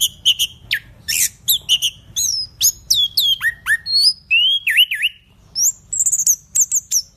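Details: Energetic orange-headed thrush song: a long run of sharp whistled notes, downslurred and upslurred phrases, and quick high trills, delivered in a rapid varied sequence without pause.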